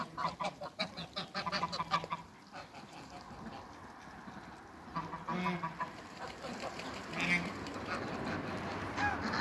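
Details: Farmyard African and Toulouse geese meeting another animal: a rapid string of nasal cackles at first, a quieter stretch with rumbling, then a sharp clear honk and rising background noise.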